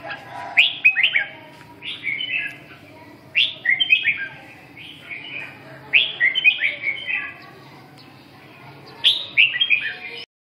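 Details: Red-whiskered bulbul presented as phong sơn, mí đỏ, rơm tê giác, siêu ché, repeating short bright phrases of three or four quick whistled slurs, roughly every one to three seconds.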